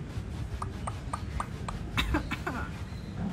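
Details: An African grey parrot (Psittacus erithacus) with blue coloration in its eye coughs and snores: a quick run of soft, clicky puffs, then a few harsher, raspy cough-like bursts over a low indoor hum.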